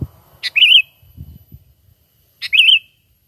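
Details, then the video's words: Natural sooty-headed bulbul call used as a trapping lure, without mimicked filler: two identical bright wavering whistled phrases about two seconds apart, each opened by a sharp click-like note, with soft low knocks between. "Pikat Burung Kutilang ISTIMEWA Full Gacor,Panggilan Alami Tanpa Isian"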